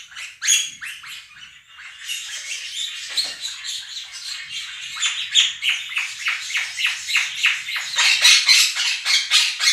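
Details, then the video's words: Two pet Quaker parrots calling over played budgie song: a few sharp shrieks, then a bed of dense chattering that rises into a run of loud, rhythmic rasping screams toward the end. "Quaker parrots scream over flock of budgies"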